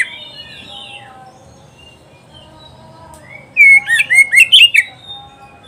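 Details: Oriental magpie-robin singing for pet-bird song training: a soft whistled phrase, a long near-silent pause, then a sudden loud run of rapid warbled, swooping whistles in quick succession.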